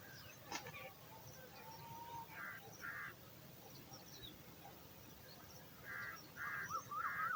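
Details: Hungry baby eagle awaiting dinner in the nest: mostly quiet at first, with a pair of harsh rasps midway and a quick cluster of rasping and wavering notes near the end, over low rumble.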